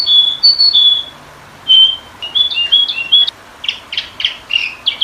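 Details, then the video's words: Training and lure recording of sooty-headed bulbul: clear, bright whistled notes in short separated phrases, then quicker clipped chirps toward the end, with quiet pauses between. "masteran burung kutilang pikat"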